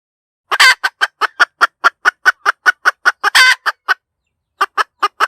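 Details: Hen cackling, a long rasping squawk opening a fast series of even clucks, a second drawn squawk near the end, then a brief pause and more clucks.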